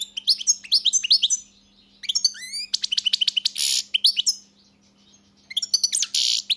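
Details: European goldfinch in lively song: tumbling twitters, sliding whistled notes and harsh buzzy bursts, with a pause before a final twittering phrase; faint low hum.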